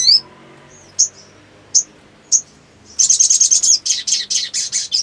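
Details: Black sunbird in breeding-mood song: a few isolated sharp, high chips, then a rapid, dense burst of ringing, trilled notes that runs for about two seconds.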